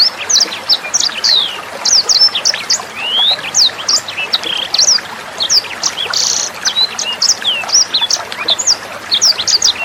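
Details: Sanger bird song from a tutor recording for Murai Batu, Kacer, Cucak Hijau and young sangers. Fast, continuous high chirps and rising whistles, with an occasional buzzy burst, over soft trickling water.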